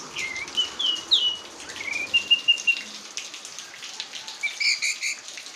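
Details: Orange-headed thrush singing: clear whistled notes, some steady and some rising, in short bursts against a constant hiss like rain.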